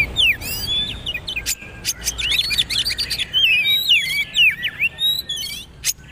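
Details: Magpie-robin singing a poci trotol training song, with a long sequence of bright warbled whistles that rise and fall quickly, and sharp clicks at the start and end.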